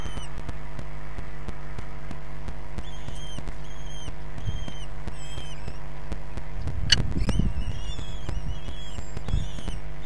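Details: Feeding time at a Common kestrel nest in Brest, 6 June 2022, from a live nest stream: scattered high, thin notes that thicken into a rapid burst after a loud knock, over a steady low hum.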